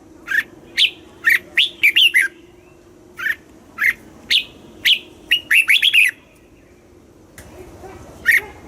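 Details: Caged red-whiskered bulbul from Thailand singing the southern master style, used to excite birds and teach young ones: short bright whistled phrases of rising and falling notes, delivered in bursts with brief pauses, some rapid four-to-five-note runs.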